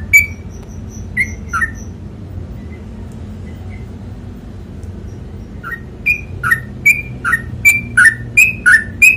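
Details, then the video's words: Sooty-headed bulbul tutor recording in the 'ropel panjang' song style: a few scattered whistled notes and a faint thin tone at first, then a fast steady run of paired rising and falling whistles, with a low background hum. "TRUCUKAN ROPEL PANJANG"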